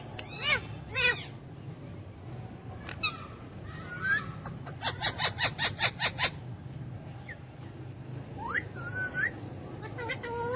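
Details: Hand-tame pet Alexandrine parakeet, kept with ringneck parakeets and said to speak Urdu/Hindi, giving harsh harmonic calls, a rapid burst of about eight evenly spaced squawks, then rising and falling modulated speech-like phrases over low background hum.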